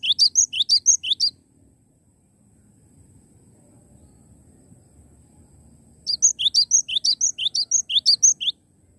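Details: Cinereous tit in lively song: a fast string of high, sharp alternating notes, then several seconds of near silence with soft background noise, before a second similar burst of rising chirps and whistles.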